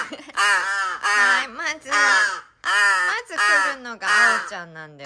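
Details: Young large-billed crow, a rescued hand-reared chick, eating indoors, filmed 13 August 2022: loud nasal, harsh 'aaa' calls in a steady series, about five in five seconds, each slightly falling, with a faint human voice between.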